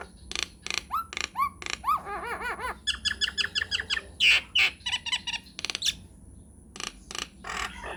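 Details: Nias hill myna in a long rolling song played as a lure for other mynas: slurred rising whistles, a bubbling series of arched notes, loud ringing squeals and scattered sharp clicks, against a low hum.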